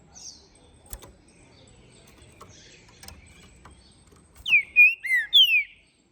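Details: Captive-bred, registered and ringed green-winged saltator from Minas Gerais, Brazil, singing after its moult: faint clicks and chirps, then four loud, clear whistled notes in quick succession, each sliding downward with small dips.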